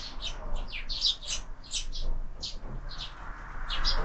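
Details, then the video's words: Sparrows at a window-mounted feeder in the evening as supper begins, year-round feeding; loose, repeated short chirps centred high, several birds overlapping, with a steady low hum and faint rustling beneath. "Воробьи в кормушке - ужин стартовал"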